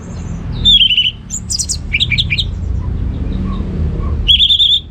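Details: Orange-headed thrush in ngeplong gacor song for stimulating idle birds at home. A quick trilled whistle, scratchy chattering notes, a pause with soft distant calls, then another bright rapid trill.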